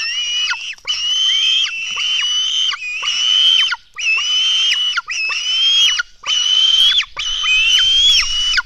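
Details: Black stork nestlings being fed at their nest in Latvia early on the morning of 24 June 2016: harsh, screaming whines with a wavering pitch, delivered in long bursts with brief pauses, almost nonstop.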